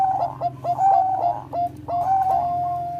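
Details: Bangkok-type zebra dove, or perkutut, singing to stimulate breeding urge: loud, clear, ringing coo notes broken into short bursts and sustained tones, rhythmic and melodious, with a low droning hum beneath.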